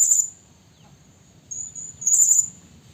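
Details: Lure call of a Blue-crowned hanging parrot, a female calling a male for trapping: a sharp high note, a thin pause-filled whistle, then a burst of rapid shrill piercing notes.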